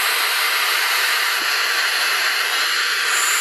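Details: Three barn owl (Tyto alba) chicks, hatched from five eggs and now left alone in the nest, give a harsh, breathy, unbroken hiss, several voices merging into one rasping wash.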